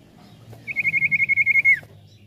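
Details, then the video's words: Common iora lure song: a level, rapidly pulsing whistle of around twelve beats lasting about a second, ending with a short downward slide, over a low background hum. "Sekali putar Burung cipoh langsung nyaut"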